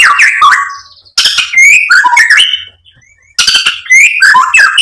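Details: White-rumped shama song for provoking a bird to sing: dense bursts of varied chattering and whistled notes, with a quiet gap near the middle.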